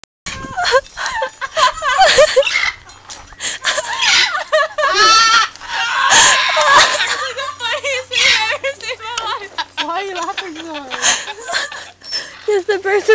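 A cockatoo imitates human laughter in bursts of wavering, throaty cackles, trading laughs with people who are laughing and talking close by.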